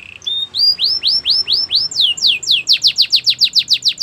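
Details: Singing canary, a song for training: clear upward-sweeping whistles repeated about three per second, then switching to faster, louder downward-swept notes that speed up toward the end.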